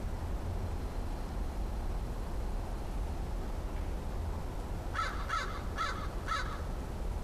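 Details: A visiting crow, the last crow friend of the year, recorded on 13 October 2013 and sounding cautious, gives four harsh caws in quick succession near the end, after several seconds of steady low rumbling background noise.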